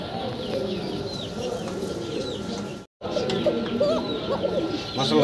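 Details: A pair of cock pigeons in a Bangladeshi loft, said to be very active and in breeding mood, coo steadily in low rolling notes over a busy background of other birds.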